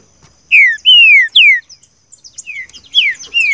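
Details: Green-winged saltator song for training a captive bird, in the style called "seu chico": loud clear whistled notes sliding downward, given in quick phrases with short pauses, softer high chirps between them.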